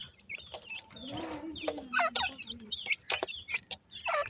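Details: Several wild black francolin chicks keep up high twittering cheeps, short slurred whistles repeated irregularly, with a brief low rustling hum near the start and occasional sharp ticks.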